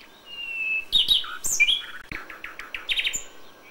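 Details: A common nightingale sings at dawn in May: a sustained pure whistle, then rapid rich chirps and a quick run of repeated notes, with faint background chatter.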